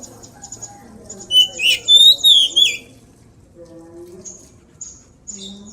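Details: Oriental magpie-robin during training: a loud burst of clear, high, sliding whistles and rich warbles lasting about a second and a half, then thin high notes, with soft background murmur.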